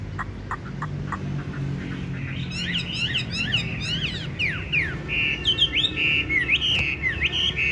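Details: Tame caged Chinese hwamei with yellow legs and bill, noted for a loud, fine voice: after a few sharp clicks, quick descending notes give way to clear, sustained whistles near the end.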